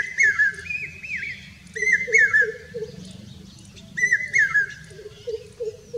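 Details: Song of a common hawk-cuckoo recorded in Rajasthan, India, loud insistent three-note whistles with falling inflections, given in phrases about two seconds apart, while a second bird adds a low rolling series of notes beneath.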